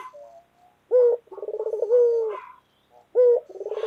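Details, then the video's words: Loud-voiced white collared dove delivering its 'dor' coo: a bright opening note, a trilled stutter, and a prolonged steady tone, with a second phrase starting at the end. "Puter Lokal Gacor Suara Keras | Pesona Suara Kicau Burung Puter Putih Gacor Dor Yang Menawan"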